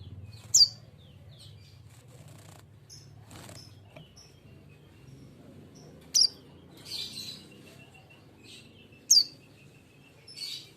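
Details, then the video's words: Young untrained sunbird, a fledgling recently bought and kept as a cage bird, giving three sharp, very high, steeply falling chirps spaced about three seconds apart, with softer twittering notes between and a low background hum. "SUARA BURUNG KING KONIN BAHAN TROTOLAN"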